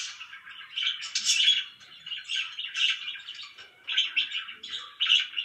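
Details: Pet budgerigar warbling: a steady, scratchy, chattering stream of mid-high squeaks and clicks that swells and fades, with a few brighter chirps rising above it.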